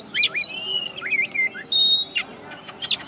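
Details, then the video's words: Oriental magpie-robin, a first-place singing contest winner from West Kalimantan, Indonesia, sings varied clear whistles, some rising and some falling, mixed with sharp chirps and a brief buzzy burst near the end. "Kacer Juara 1 Habis Gantang"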